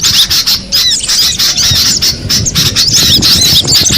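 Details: Cinereous tit in the wild, with bursts of sharp, high, up-and-down chirps tumbling over each other, separated by brief near-pauses, in a lively chattering chorus.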